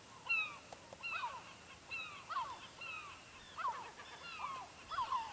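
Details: Gulls in Lofoten, Norway, beside a fishing village, calling almost continuously: overlapping mewing and yelping notes, some nearer cries standing out, steady background hiss.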